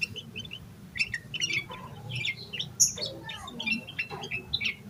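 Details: Yellow-vented bulbul singing in an agitated state, its song rich in fill-in phrases, aimed at stimulating other bulbuls; scattered chirps and squeaky warbles, including one piercing high note, arrive in irregular bursts.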